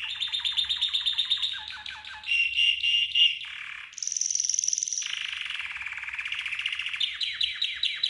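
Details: Varied red canary training song: rapid descending chip series, a hollow bubbling roll, a high piping trill and a lower buzzing tour, all delivered without pause.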